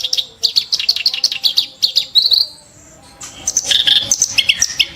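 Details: Kerak basi giving harsh, sharp song: quick repeated clicking and buzzy notes, a drawn-out whistled slur, a brief quiet pause, then dense scratchy chatter resuming loudly.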